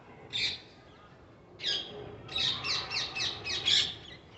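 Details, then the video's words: Parrots: one isolated harsh squawk, a pause, then a steady series of six rough, buzzy calls delivered about every quarter second. "Parrots making their sounds"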